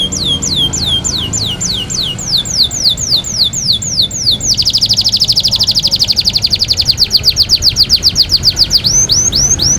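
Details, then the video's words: A kept canary, singing actively while it bathes, delivers a series of clear downward-slurred whistles repeated about four per second, then breaks into a fast, dense rattling trill before returning to slurred whistles; faint low background hum. "Kenari gacor pintar mandi"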